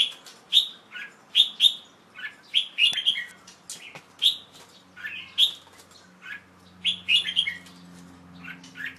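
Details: Caged young male Red-whiskered Bulbul singing in late afternoon on 1 January 2012 after a bath; a rapid, busy run of sharp whistled and chirping notes, repeated without pause, with faint low hum.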